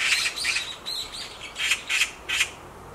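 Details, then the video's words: Black magpie perched on a tree branch gives a run of about seven harsh, hissing screams at uneven intervals, each short and scratchy. "Black Magpie Screams on a Tree branch"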